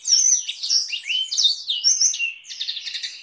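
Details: Canary tutoring song in Blackthroat roll style for teaching canaries and White-rumped Shamas: shrill descending whistles and quick slurred notes, then a fast buzzy trill near the end, all high and continuous, clean background.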